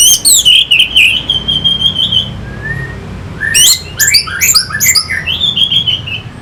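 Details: Orange-headed thrush singing as a lure for fighting birds: a long, falling whistled phrase with stuttered notes, a short pause, then a burst of sharp, bright chirps and a sustained high whistle; faint hum behind.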